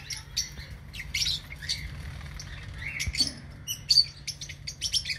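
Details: Aviary lovebirds chirping and squeaking in scattered high, thin notes, with some short squawks, against a faint low mechanical hum.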